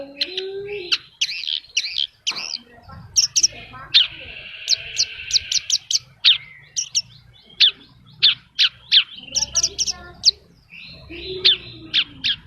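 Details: Horsfield's bush lark in vigorous gacor song packed with isian phrases: a varied jumble of sharp high chips, buzzy trills and slurred whistles, a rasping buzz near the middle, and lower warbled notes, over a soft low hum.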